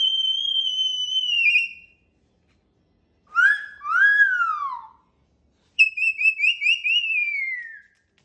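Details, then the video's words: Pet cockatoo whistling indoors: a long level whistle that dips at the end, a pair of swooping downward slides, then a fluttering wavy whistle falling away, separated by silences. "Hi Barney! Woo Woo Woo!!"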